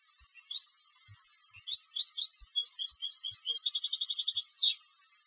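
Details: European goldfinch kept for song contests: scattered introductory chirps build into a dense twittering run, then a fast regular trill ending in a loud downward buzzy sweep.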